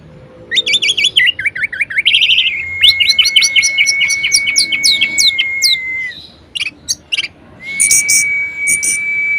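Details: Orange-headed thrush in energetic varied song, used to prompt idle thrushes to sing: a fast, wavering warble, then a long even whistle punctuated by rapid ticks, more chips, and a final drawn-out whistle.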